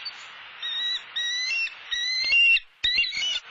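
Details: Bald eagle at a nest in Southwest Florida, filmed by a live nest camera while the male brings a soft-shelled turtle for the female. A run of high, squeaky, harmonic chattering notes comes in short bursts with brief gaps.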